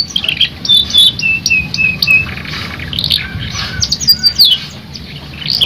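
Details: Canary singing, a stimulating song meant to make other canaries sing: varied high whistles, twittering trills and chirps with slurred rising and falling notes, over a steady low background hum.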